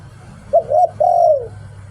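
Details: One 'Liu Tan' song phrase from a decoy spotted dove, a short sharp coo, a wavering middle coo and a long mellow coo that slides down, over a noisier low background.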